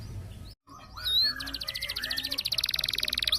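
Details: Roll-type canary, tembak-style master song for training competition birds: after a brief break, a rising whistle and softer notes lead into a rapid pulsed trill that grows steadily louder to the end.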